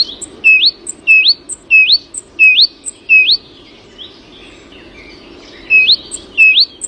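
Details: Early-morning bird singing a series of sharp upward-sweeping whistles, about one every half second, with a short pause before the same rising phrases return; faint high chirps in the background.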